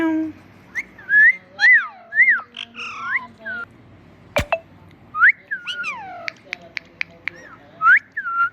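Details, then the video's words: Pet parrot talking and saying "Mitthu Mitthu": a string of clear whistled arcs and rising slurs, a sharp click midway, then quick ticking notes and more bright whistles. "Adorable Talking Parrot"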